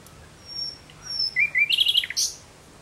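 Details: Common nightingale singing at sunset in June 2017: a few high thin whistles, then a quick series of rapid clicking notes and a rising, ringing flourish, clear against quiet background.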